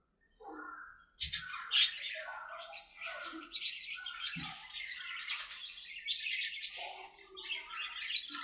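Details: Budgerigars talking to each other while playing in their aviary: quiet at first, then a steady jumble of scratchy chirps, squeaks and warbled phrases, with two brief low thumps.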